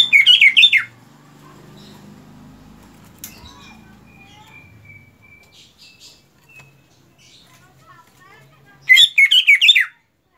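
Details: Greater green leafbird (cucak ijo), mastering context: a dense burst of rapid chattering whistles opens and closes the clip, with a long near-silent gap holding faint thin tones between.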